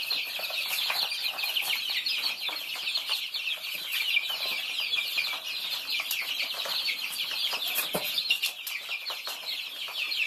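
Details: Flock of Thai chicks while feeding, many high-pitched peeps running continuously and overlapping, mixed with sharp clicks from pecking at food throughout.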